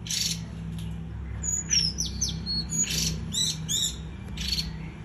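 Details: Japanese white-eye in lively song: rapid, very high thin chirps mixed with quick downward-slurred whistles, delivered in tight bursts across five seconds over a steady low background hum.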